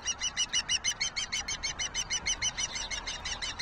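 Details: Juvenile osprey viciously attacking its sibling, June 6, 2023: a steady run of sharp, high chirps, about three per second, evenly spaced and strongly pulsed throughout, over a light background hiss.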